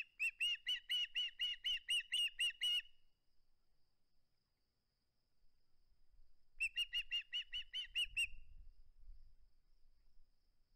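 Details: Osprey at the nest holding onto its flounder: a long run of rapid, piercing chirps, a few seconds of quiet, then a second burst of the same repeated notes with slight rustling.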